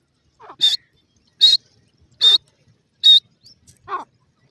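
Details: Grey francolin chicks playing in the grass, giving four sharp, loud, high chirps evenly spaced about every 0.8 seconds, followed by a softer lower note at the end.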